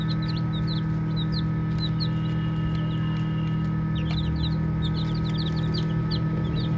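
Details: Playful baby chicks peep in quick bursts of short, high, slightly rising notes. A brief pause in the middle precedes a busier cluster, all above a constant low droning hum.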